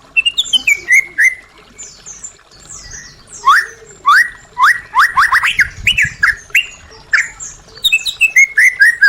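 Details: Caged-bird stimulation recording of white-rumped shama: loud repeated sharp upward-sweeping notes in quick bursts, mixed with high scratchy chips and descending whistles, lively varied phrasing.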